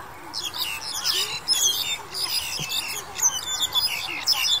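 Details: Black-collared Starling recorded in January 2021 during the pandemic, giving a dense run of high chirps, squeaky whistles and harsh squawks in overlapping bursts, with a low background rumble.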